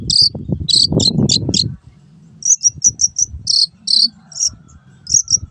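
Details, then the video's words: Long-tailed shrike master recording, meant for training caged shrikes that stop singing or change owners: bursts of high, scratchy chirps in quick clusters, pausing, then resuming as separate sharp notes over a low rumbling background. "MASTERAN BURUNG CENDET SANGAT COCOK BUAT CENDET MACET BUNYI ATAU PINDAH JURAGAN"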